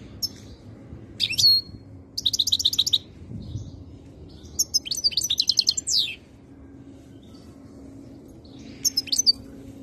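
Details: European goldfinch ready to mate, khaloui song style, Algeria: several separate phrases of rapid, high, jingling trills and sharp chirps, with short silences between them and a low steady hum underneath.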